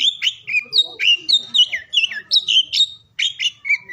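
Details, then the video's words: Oriental magpie-robin song, played to stimulate silent or lazy magpie-robins into singing, heard morning, midday and afternoon: clear whistled phrases, mostly high, with rising and falling slurred notes in quick varied bursts and short pauses between them. "KICAUAN KACER DI PAGI SIANG SORE HARI UNTUK MERANGSANG KACER BISU DAN MALAS BUNYI AGAR CEPAT GACOR"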